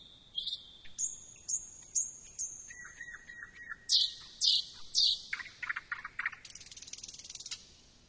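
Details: Thrush nightingale song: long pure whistles on level high, middle and low pitches, some repeated several times, then loud stuttered notes and a fast dry buzzing rattle near the end.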